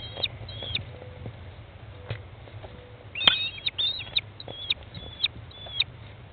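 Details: Feeding time for American kestrel chicks, day 15, in a nest box with their mother, 20 May 2011 at 13:54; a run of sharp, high chirped calls clusters in the second half, plus soft taps.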